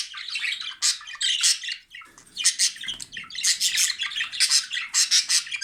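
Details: Indoor male jumbo budgerigar song that prompts the pair's immediate mating movements; fast, harsh, high-pitched chatter in dense bursts roughly every second, separated by short dips.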